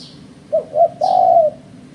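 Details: Spotted dove cooing for bird-trapping use: a short note, another short note, then a long sustained coo. High thin chirps from a second bird are repeated in the background.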